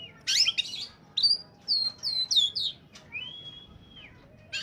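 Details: Oriental magpie-robin in peak form, its song used to lure untrained birds: a harsh chattering burst, then a series of four falling whistled notes, followed by a long level whistle.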